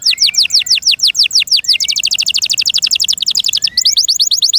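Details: Canary kept as a pet, singing a long sequence of crisp downslurred whistles. The notes blur into a very rapid rattling trill, then slow again to separate slurred notes.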